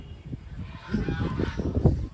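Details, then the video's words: Domestic geese at Tajpur honk in a rough, low, rapid series of short nasal notes against a noisy outdoor background. "রাজহাঁস আছে, রাজহাঁস, ওরাই আওয়াজ করছে। এই দেখো"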